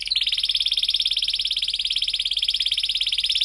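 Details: Canary song played as a lure to teach young canaries to sing, in the long, emotional "cuit cuit" style: a high, fast, unbroken rolling trill of rapid pulses that is sustained throughout.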